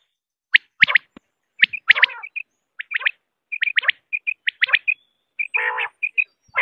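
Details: Quail triple notes mixed with shorter paired whistles from other calling birds. A lower buzzy burst is heard near the end.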